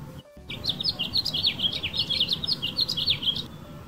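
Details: House finch male calling to females from a branch in a California backyard garden; one continuous rapid warble of varied chirping, up-and-down slurred notes lasting about three seconds, with steady low background noise.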